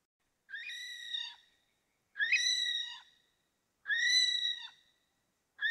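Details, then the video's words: An Okarito kiwi gives long, shrill, reedy whistles, each about a second long and repeated every couple of seconds, holding steady before sagging slightly at the end. "Okarito Kiwi Sound | Okarito Kiwi Call | Okarito Kiwi Song"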